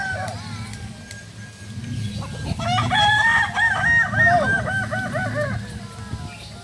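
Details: Kokok Balenggek rooster, native breed from Solok, West Sumatra, crowing at a practice event: after a quieter start, a long crow of repeated wave-like stepped syllables, about three per second, over low background rumble.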